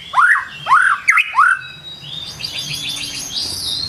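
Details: White-rumped shama, morning song: a few loud arching whistled notes and a short twisting phrase, then softer high chattering in the background.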